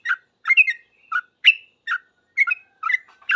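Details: Sooty-headed bulbul, a lively singing bird answering other bulbuls: short bubbly whistled notes, some rising and some falling, in quick uneven bursts about every half second with brief gaps between.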